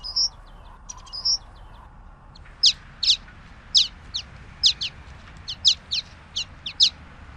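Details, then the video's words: Common waxbill song: two short high whistled notes, then a series of sharp, very high descending chips in loose pairs, roughly two per second, over faint background hiss. "Canto del Pico de Coral Común"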